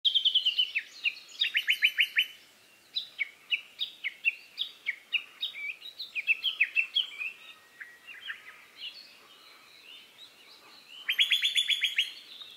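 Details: Male lesser cuckoo in breeding season: loud, rapid bursts of sharp, high whistled notes in quick stacked series near the start and again near the end, with varied chirping phrases from other birds filling the gaps.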